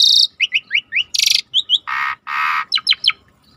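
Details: Asian pied starling song used as a lure to trigger a quiet bird to sing: quick sharp chirps falling in pitch, a high buzzy burst, then two long harsh rasping bursts and a few rapid clicking notes.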